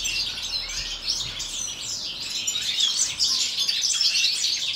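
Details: Winter aviary chorus of European goldfinches at minus four degrees; many birds twitter at once, quick liquid trills and sharp tweets piling over one another, slightly louder toward the end.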